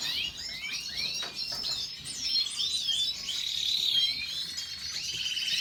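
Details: Canary song at high pitch: quick rising and falling whistled notes and warbled twitters run together in a busy, fairly quiet phrase.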